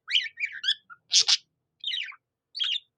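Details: Budgerigar imitating a cockatiel's song: a few short whistled warbles, then a loud harsh double squawk, followed by two brief chirpy phrases separated by silence.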